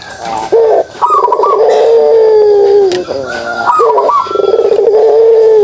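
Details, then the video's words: Kugeruk call of a pelung dove, up close and loud: two long, deep, drawn-out coos, each opening with a sharp rising note and then held steady and slowly falling, with a brief pause between them. "suara kugeruk burung puter pelung"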